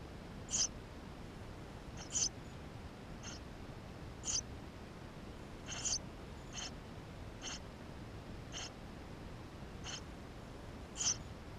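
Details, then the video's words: GoPro footage from inside a Eurasian tree sparrow nest with nestlings: about a dozen thin, high chirps spread irregularly over the recording, a few louder than the rest, over steady faint hiss. "Воробей полевой 160416 2 в №2016 6 160528 GoPro1440p птенцы внутри"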